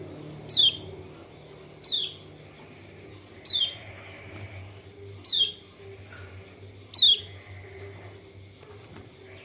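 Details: Lombok white-eye (kecial kuning, pleci lombok) call used as a lure to stir reluctant birds into singing: five sharp, high, quickly falling chirps, spaced about every one and a half seconds, over a faint low hum.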